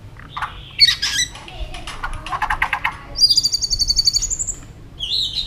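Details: White-rumped shama in competitive singing, flicking its tail: scattered chips and notes, then a fast run of a dozen high, evenly repeated bright notes, followed by a short high whistle; low rumbling background.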